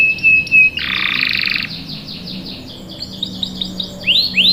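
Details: Canary, said to be a breeding-condition female calling a male, giving a high steady whistle, a harsh buzzy burst, softer rolling notes, then a few sweeping downslurred whistles rising in loudness at the end.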